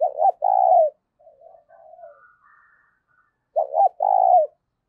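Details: Spotted dove kept as a decoy, cooing to lure wild birds. Two loud phrases of double short notes and a long husky coo are separated by soft, low, muttered coos.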